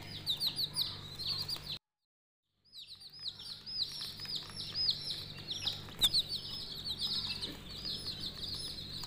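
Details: A group of coloured budgie chicks gives busy high chirping and twittering notes. A brief silent break comes near the start, then dense overlapping chirps resume over a faint low hum.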